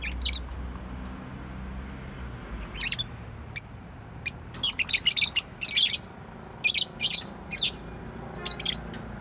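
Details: A pet bird chirps busily, with many quick, high, sharp notes coming in irregular runs and pairs over nine seconds, against faint low background noise.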